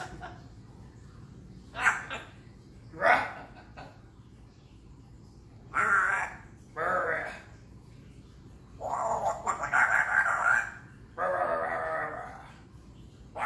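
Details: Nikki, an African grey parrot, gives short, breathy, human-like bursts of laughter, some chuckling and drawn out, as a person speaks softly nearby.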